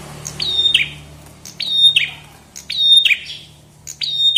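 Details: Chestnut-headed tesia song from a 2022 masteran recording: four repeated phrases about every 1.2 seconds, each a sharp high click, a steady thin whistle, then a buzzy falling note, over faint low hum.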